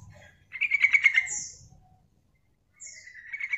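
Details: Female yellow-vented bulbul calling to attract and lure other bulbuls, used as a trapping lure: a rapid bubbling chatter of pulsed notes lasting about a second, a thin high slurred note, a pause, then another high note and chatter beginning; faint low rumble.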